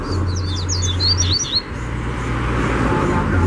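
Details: Wild double-collared seedeater in the bush, singing in a territorial contest: a quick burst of high, looping whistled notes for about a second and a half, then a droning low engine hum alone.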